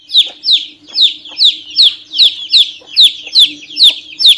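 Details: Young chicken chick calling over and over, sharp high descending peeps at a quick, fairly even pace of about two each second, with a low background hum.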